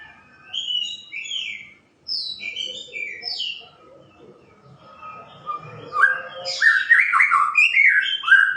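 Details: White-rumped shama song: bright whistled phrases at first, a softer stretch with faint low sounds, then a louder run of rapid, twisting notes.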